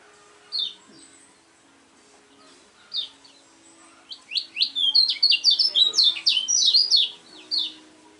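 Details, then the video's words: Lemon-bellied white-eye, a contest bird: a few isolated high chirps, then a fast run of sharp, high, tumbling notes for about three seconds, ending with one more chirp over a faint low hum. "kecial kuning BOCIL suara unik super juara"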